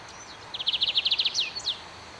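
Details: Lined seedeater, a small bird whose melodious song is highly appreciated and makes it a target of illegal hunting, giving a brief high trill of about ten rapid notes followed by two slurred downward whistles over a steady background hiss.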